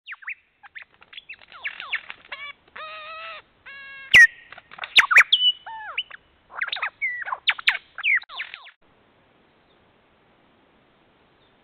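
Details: A lyrebird in regrowing bush on a once-cleared property pours out a fast, ever-changing medley of whistles, ringing harmonic notes and a sharp whip-like crack, falling silent after about nine seconds.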